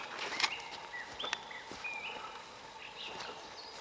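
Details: A bird singing in the taiga gives short, clear whistled notes, some flat and some slurred upward, scattered over a few seconds against a soft rustling background.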